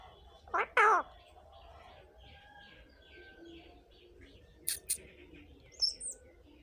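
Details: Indian ringneck parakeet gives one loud, harsh, broadband call, then a faint series of short repeated chirps and a few thin high notes in a quiet indoor setting.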